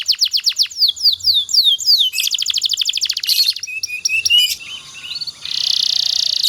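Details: Canary song used as master training for other canaries: a series of falling whistles, then a fast rhythmic trill, assorted chips, and a sustained buzzy roll to finish.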